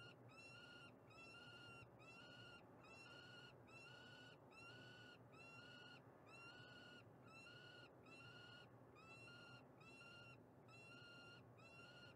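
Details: Female peregrine falcon calling in Montreal, Canada, a steady run of about a dozen grating, harmonic wails, each slightly upslurred and evenly spaced, over persistent low urban noise.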